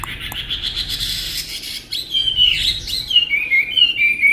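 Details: A tame Chinese hwamei in Vietnam, prized for singing well, begins with a hissy, smeared burst, then switches to pure, short whistled notes repeated at steady mid-high pitch.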